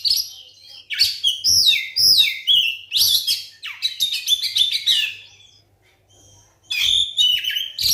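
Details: Lure song of a white-rumped shama, played to make silent shamas start singing: dense run of varied whistles, slurred downward notes and rapid chatters, a brief pause, then another bright burst.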